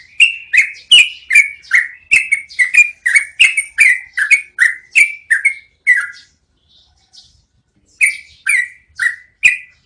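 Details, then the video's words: Rolling song of a yellow-vented bulbul, made for training cage birds, with a fast six-second chain of bubbly down-slurred notes, a brief silence, then four more spaced notes at the end. "MASTERAN SUARA BURUNG TRUCUKAN NGEROLL PANJANG"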